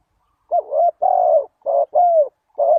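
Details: Close, loud coos of a spotted dove played as a lure for wild doves: a run of five mellow, hollow notes, the longer ones gently falling at the end, with short gaps between them.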